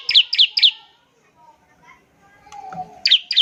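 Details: Bar-winged prinia in full voice, used to coax other prinias into song: three quick falling chips, a quiet stretch with faint background sounds, then two more chips.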